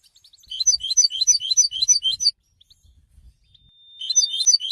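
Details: Singing European goldfinch: a lively run of sharp, tinkling notes repeated rapidly for almost two seconds, a short silence, then the twittering starts again.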